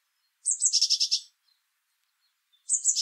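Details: Eurasian blue tit (Cyanistes caeruleus) song: a very high, thin opening note running into a quick silvery trill, repeated after about a second's pause.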